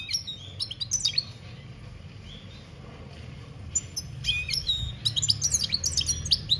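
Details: European goldfinch singing in 2021, "campero" style: two bursts of tinkling, high twittered notes separated by a quiet pause of about three seconds, over a low steady background hum.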